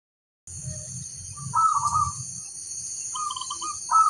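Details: Local-type zebra dove calling, with other birds answering: rolling, pulsed mid-pitched cooing bursts, accompanied by a loud constant high insect-like drone and low rumbling background noise.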